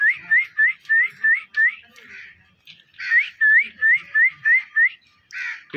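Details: Three pet parrots together: a run of short rising whistled notes repeated about three per second, a brief gap, then a louder harsh note and more identical rising whistles, ending with a scratchy squawk.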